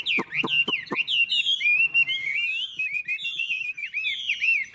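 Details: Old Chinese hwamei taken from the forest, long-bodied with a fig-leaf tail, singing well: four loud clipped whistles, then a flowing, looping whistled warble of rising and falling notes.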